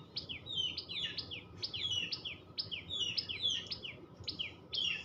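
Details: Tailorbird chirping in dense, overlapping runs of sharp, high, down-slurred notes, sometimes doubled, sounding busy and insistent over quiet low background noise.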